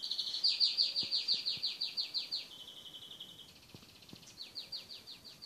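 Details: A pet cockatiel gives a rapid run of high, downward-sweeping whistled chirps, roughly three per second, briefly flattening into a steady tone midway before the sweeping notes return more softly; a few faint low knocks underneath.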